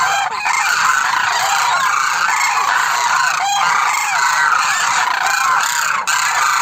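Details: A large flock of Demoiselle cranes (koonj) calling at once, a dense, continuous chorus of rolling, trumpeting croaks with no break across the whole stretch.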